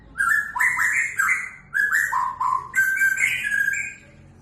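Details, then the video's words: White-rumped shama song made of rich whistled notes, sliding up and down in quick linked phrases, with a short gap midway and a louder, higher flourish near the end. "murai batu suara alam"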